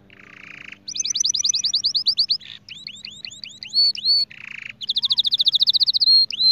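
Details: White canary in vigorous song: fast runs of bright, repeated upslurred whistles, about three per second, broken by short buzzy rattles and louder ringing rolls. A faint steady hum sits underneath.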